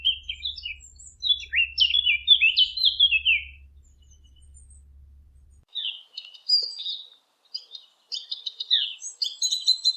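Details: Eurasian blackcap (fig bird) song for hunting callers: a lively run of descending fluty whistles, then after a short pause faster, scratchier high warbling. A low steady hum is present during the first half.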